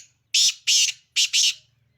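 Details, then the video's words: Black francolin, Sindhi kala titer, giving a short grating call of four harsh, rasping notes, two paired bursts close together, over a faint low hum. "Full Awaz Sindhi Kala Titer Awaz"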